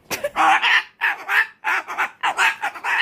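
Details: Screeching umbrella cockatoo mid-tantrum: loud rasping cries in rapid clusters, with a sharp click at the start.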